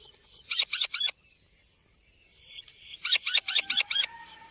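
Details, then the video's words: Rose-ringed parakeet producing two quick groups of scratchy screeches, three then about six, with a soft sustained tonal hum between and beneath them. "green parrot talking"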